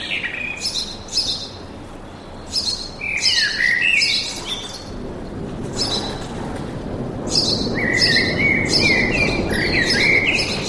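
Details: Forest birdsong with bursts of sharp chirps and short warbled, rising-and-falling phrases repeated in runs, pausing midway, with a steady broad rushing background noise underneath.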